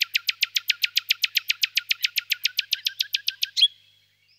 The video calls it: Usignolo comune